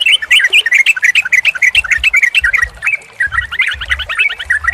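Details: Yellow-vented Bulbul (trucukan) song, played as a lure to get a stressed or silent bird singing: a fast, bubbly stream of short whistled notes, rising and falling, overlapping chatter, sharp clicks and a low rumble underneath.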